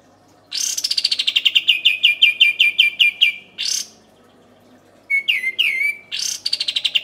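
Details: Olive-winged bulbul giving a loud, bright rolling song: fast runs of clear notes that slide down from high to mid pitch, broken by short pauses and sharp whistled phrases.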